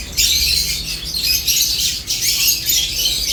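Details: Lovebirds feeding and chirping together. A continuous stream of sharp, squawky, high-pitched notes breaks briefly near the middle, with a faint low hum underneath.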